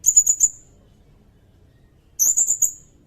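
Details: Sirindet song intended as a tutor recording for training songbirds and for luring: two bursts of about five rapid, high, sharp notes, separated by a silent gap, in a quiet setting.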